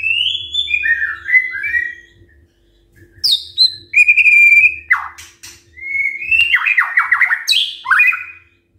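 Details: Morning song of a white-rumped shama used to stir quiet birds into answering: clear high whistles dropping in pitch, then sharp upward sweeps, a fast trill of repeated notes and varied rich phrases, with a low background hum.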